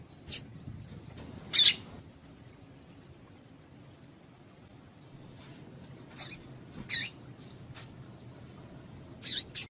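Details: A female Double-collared seedeater utters scattered, brief, scratchy chips, with a long quiet gap between bursts. The call is meant to excite a male. A steady high-pitched hum persists throughout.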